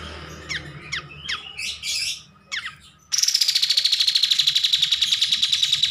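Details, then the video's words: Kapas tembak bulbul in lively song for master-recording use: a few sharp sweeping whistled notes, then an abrupt loud buzzy rapid trill of regular pulses, slowly sliding lower in pitch for nearly three seconds. "MASTERAN KAPAS TEMBAK GACOR"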